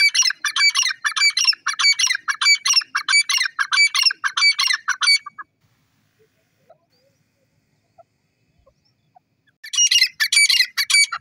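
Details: Francolin loudly repeating harsh, rasping note groups for five seconds, falling silent for several seconds, then starting the same squawking series again.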